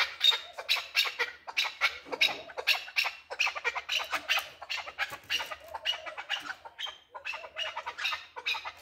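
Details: Male chukar partridge calling: harsh, raspy chuck notes in rapid pulsed bursts, about three per second, rough and broadband with no other clear sounds.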